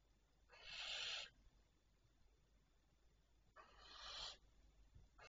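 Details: Barn owls calling at night on 25 May 2023 near 01:51: two rasping, hissy screeches about three seconds apart, each lasting under a second, with a brief start of a third at the end.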